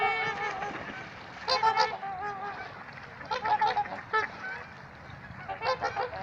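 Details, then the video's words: Group of trumpeter swans at Gallup Park in Ann Arbor, Michigan, trading nasal, horn-like honks in separate bursts with short quieter pauses between, some calls clipped and sharp. "Trumpeter Swans Making Some Noise"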